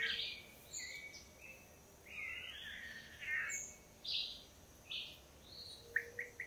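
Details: Male long-tailed manakins in courtship display to a female at a Costa Rican lek, pairs of males taking turns; a run of bright slurred whistles and downward sweeps, then quick clipped notes repeated at the end over faint background hiss.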